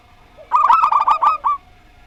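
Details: A single second-long phrase of staccato cooing from zebra doves, a local Rondo Semoyo singer versus an unusual-voiced one, notes tumbling quickly and ending in a separate final coo.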